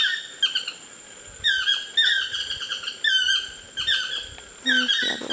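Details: Pair of Chestnut-mandibled toucans exchanging calls in the canopy near a lodge, Osa Peninsula, Costa Rica; repeated clusters of ringing, downslurred yelps about once a second, ending with a low buzzy note.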